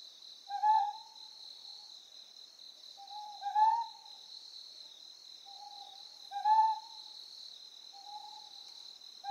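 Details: Ryukyu scops owl calling on Amami Oshima, Japan, giving a strong hoot, then a fainter second hoot, the pattern recurring about every three seconds against a constant background drone of insects.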